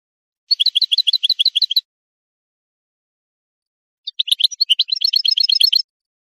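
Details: Training song of the goldfinch, aimed at stimulating breeding pairs to mate. Two bursts of fast, evenly repeated chirping notes come about two seconds apart, the second more jumbled and trilling, with nothing else audible.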